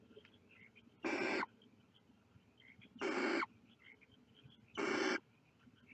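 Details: Nestling barn owls looking out of the nest repeat a loud, noisy, breathy screech roughly every two seconds, three bursts in all, each about a third of a second long.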